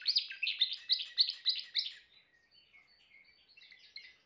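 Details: Timbrado canary singing: a fast run of repeated bright trilled notes for two seconds, then softer, thinner warbling phrases trailing off.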